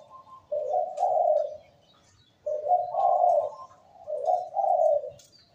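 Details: Zebra dove, a perkutut in active, full voice, with a melodious, echoing song: three soft, mellow cooing phrases, each a quick rolling coo followed by a longer throaty note, with about a second of quiet between them.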